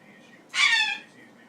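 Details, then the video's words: A male Goffin's cockatoo, hopping about on top of his cage at night, gives a single harsh, nasal, goose-like honk of about half a second in a quiet room; the owner has not heard this noise before in a month. "Silly Goffin sounds like a goose"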